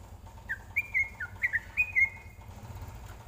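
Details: Tutor song of a greater green leafbird for training: a short run of slurred whistled notes, rising and falling, each about a quarter second apart, over a faint low hum.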